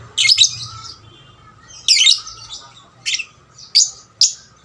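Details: Lovebird singing, used to provoke other lovebirds into song, with separate harsh, buzzy, high squeaks and short chattering phrases every second or so, over faint low hum.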